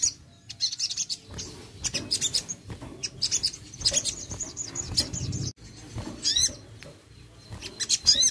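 Crested jay giving rapid bursts of high, sharp chirps and rattles, with a few quick rising whistled notes near the end.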